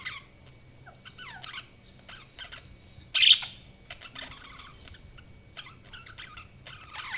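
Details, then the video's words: Budgerigars chirping: scattered short warbled notes and quick frequency sweeps, with one louder burst midway and a rise in activity toward the end. "Budgies Sounds| Budgies Chirping sound"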